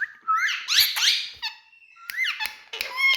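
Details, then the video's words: Talking parrot in India giving harsh, harmonic squawks and rising chattering notes in several bursts, with short clicks between them and a brief steady whistled tone near the middle. "Talking Parrots"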